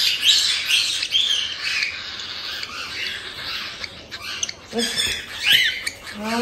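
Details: Cockatiel chicks about one month old from a breeder in Tokachi, Hokkaido, give the harsh 'jaa-jaa' cry of the chick stage: rough, buzzy squawks tumbling irregularly, about two per second, with a faint human voice in the room.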